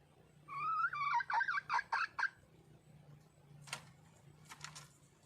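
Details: Female red junglefowl seeking a male: a long nasal whine breaking into a rapid string of short, choppy notes, followed by quiet, with a few sharp broadband rustles or clicks and a steady low hum.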